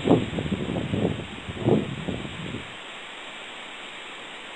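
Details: Several bursts of muffled human speech over steady background hiss, which then fall silent after about two and a half seconds.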